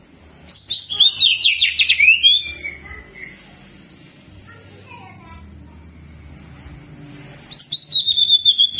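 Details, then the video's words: Greater green leafbird giving energetic jamtrok song with rolling and mimicked prinia (ciblek) phrases: a loud burst of fast, tumbling whistled notes that sweep downward, a quiet gap with faint thin notes, then another sharp whistled burst. "CUCAK IJO GACOR JAMTROK ISIAN CIBLEK DAN NGEROLL"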